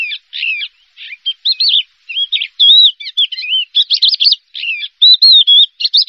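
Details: Song of a first-place champion Javan bush lark kept for contests: a lively string of scratchy chirps and wavering whistled notes that rise and fall, delivered in quick bursts with short gaps and no other sounds.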